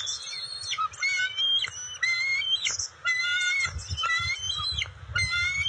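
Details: Bald eagle family at the nest, June 27, 2021, as the female brings fish to her eaglets: shrill, thin whistled piping repeated in rapid strings, some notes sliding upward, with low rumbling background noise.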